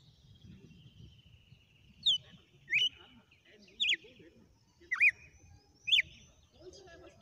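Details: Red-cowled cardinal singing a sequence of five loud, clear whistled slurs, each sweeping sharply down then up, spaced roughly a second apart, with a faint low rumble underneath.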